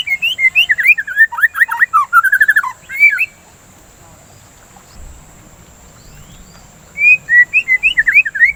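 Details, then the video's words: Lure song of a white-rumped shama, meant to stimulate singing and ease breeding excitement: about three seconds of fast, jumbled whistles and twittering slides, then near-silence, then a fresh burst of rising whistled notes. "Pancingan Suara Burung dan terapi murai batu biar tidak birahi"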